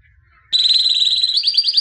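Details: Albino white canary, championship singer from 2017, breaks into a steady high rolling trill after half a second of quiet, the notes climbing slightly and quickening near the end.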